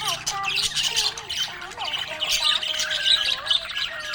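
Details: Happy budgerigar giving a loud stream of harsh squawks and quick scratchy twitters that build toward the end, with soft gliding tones underneath.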